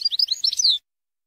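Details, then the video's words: Short burst of European goldfinch song, Jordanian style, from a training recording: under a second of high, jumbled twittering with slurred, tinkling notes. "شريط تسميع حسون لغه الأردن خالي من الأخطاء"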